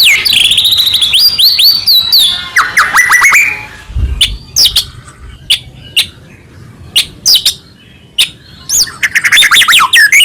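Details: White-rumped shama singing to provoke other shamas into song: rich whistled phrases with rising and falling slurs, then a string of sharp clicks and chips, ending in fast high twittering.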